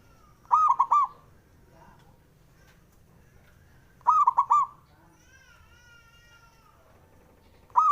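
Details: Male local Java zebra dove singing to goad rival males into replying: three phrases of quick, stuttering cooing notes, repeated roughly every three and a half seconds, with a faint thin whistled tone between them.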